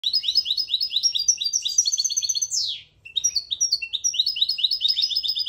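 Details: Goldfinch mule singing, used for teaching young birds: fast high twittering phrases of short repeated notes, a brief pause after a sweeping downward note near the third second, then twittering resumes.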